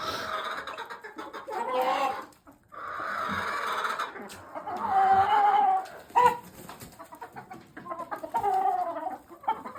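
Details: Barn hens with a mature brown red cock let out among them, their first in weeks, clucking and calling in drawn-out, mid-pitched, wavering notes with short sharp cries, over steady background noise.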